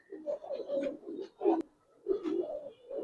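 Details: Silver Budapest highflyer pigeons kept in a loft, cooing in low throaty rolling phrases repeated in bursts, with a short pause before the cooing resumes; the room sounds enclosed.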